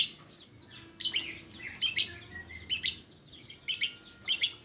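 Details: Lovebird giving shrill, harsh chirps in short bursts about once a second, with faint thin whistled notes between them.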